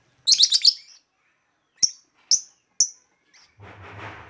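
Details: Lovebird calls used to lure lovebirds, described as melodious: a quick cluster of shrill, high chirps, then three single sharp chirps about half a second apart, followed by a soft rustling noise at the end.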